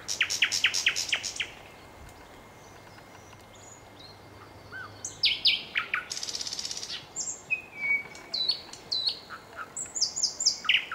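Nightingale song: a rapid burst of repeated high notes, a pause, then varied phrases with a harsh buzzy rattle and fast trills.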